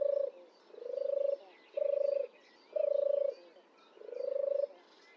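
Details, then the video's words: A European turtle dove gives deep, rolling purrs, five in about five seconds at roughly one per second, with faint chatter from other birds behind. "Turtle dove sound effect"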